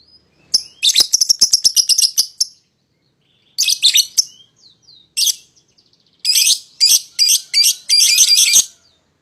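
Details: Lovebird song used to provoke a rival into singing: bursts of rapid, shrill, high chattering notes, a fast run of clicks near the start, then clustered harsh squeaky phrases with short pauses between.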